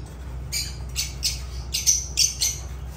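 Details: Lovebirds (Agapornis) giving loud, shrill, high squawks in short bursts of about a quarter second, roughly three per second and irregularly spaced, over a low steady hum.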